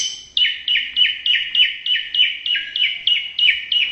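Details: White-rumped shama, Indonesia, repeating one sharp downslurred whistle about three times a second in a steady, even series, each note dropping in pitch, with a quiet background.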